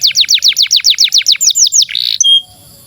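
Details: Canary (Serinus canaria) tutor song for young canaries or ones that stopped singing: a fast tour of about thirteen sliding, down-swept whistles, roughly eight a second, then a brief buzzy trill and a thin, high whistled note.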